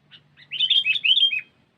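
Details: Sooty-headed bulbul (kutilang) lure song in cengkeram style: one loud, rapid run of liquid, bubbling whistled notes rising and falling, lasting about a second, after two soft lead-in chirps, in a quiet background.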